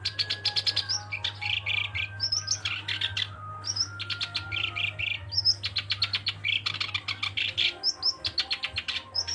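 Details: Sustained song of a black-browed reed warbler, a fast, continuous stream of scratchy chattering phrases mixed with sharp rising chirps, delivered almost without a break, with a constant low electrical hum underneath.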